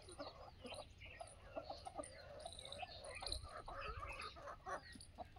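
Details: Busy flock of Aseel chickens on a free-range desi poultry farm cluck and chatter, overlapping short calls with higher squawks, over steady low background noise; chicken.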